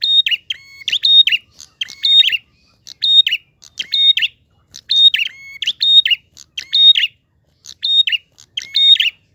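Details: Prinia song in the flowing 'ngalun' style with a clear voice, a chattering series of short phrases, each pairing a level whistle with sharp buzzy notes, repeated roughly every second without pause and with no other sounds.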